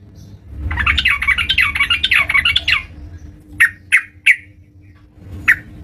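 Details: Energetic yellow-vented bulbul singing at home: a harsh, bubbly chattering phrase of about two and a half seconds, then four well-spaced, loud, sharp single notes, with low rumbling noise and a faint hum.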